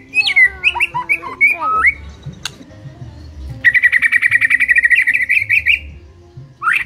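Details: White-rumped shama singing varied whistled notes and slurs, followed by a long fast buzzy trill lasting about two seconds and a final rising whistle.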